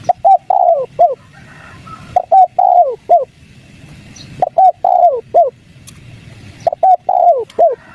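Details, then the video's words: Spotted dove in the 'kuk 3' calling style, used as a lure to draw wild doves into answering; three phrases of short hollow coos, each ending in a longer drawn-out falling note, repeated about every two and a half seconds. "PANCINGAN DEKUKUR KUK 3 | BURUNG TEKUKUR LIAR MALES BUNYI LANGSUNG NYAUT"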